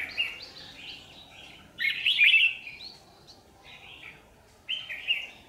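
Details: Trap scene on 27 January 2019 by a power line with a red-whiskered bulbul lure bird; cheerful warbling phrases in three loud bursts, the middle one strongest, with quieter notes between.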